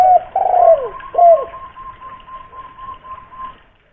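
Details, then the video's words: Local spotted dove with a big voice, kept as a lure bird in Kuningan, West Java, calling to prompt caged doves to sing: three low, hoarse, downward-bending coos in the first second and a half, then a thin steady whistle-like tone lingering. "raja pancingan burung tekukur / derkuku"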